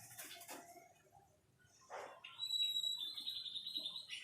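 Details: ['After a few soft scratchy notes, a white-rumped shama holds a long, steady high whistle for well over a second, ending with a quick slur; surroundings otherwise quiet.']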